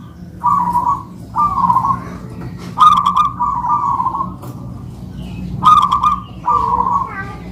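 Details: Perkutut manggung duet by two local-type zebra doves kept by owners: a steady series of rolling, trilled coos at a level mid pitch, each phrase under a second, some opened by sharp clicking notes, with a low hum behind.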